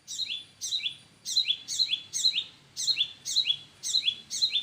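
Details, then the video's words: Parent birds calling in front of their nest: bright, high chirps that sweep downward, given in quick pairs and short bursts, about nine notes in under five seconds, with only a faint low rumble behind them. "Sweet little sound of Birds"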